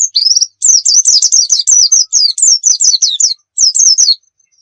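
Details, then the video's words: Oriental white-eye singing actively, used as a tutor for other birds: rapid series of high, bright, slurred whistled notes, chattering and nearly continuous, with brief pauses between bursts. "suwara burung pleci gacor cocok buat masteran"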